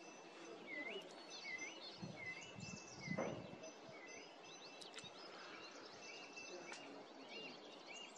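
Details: A bird thought to be a brown accentor, with identification unconfirmed, gives short, thin, hooked call notes about every second, softer toward the end, over steady background hiss and a dull thump.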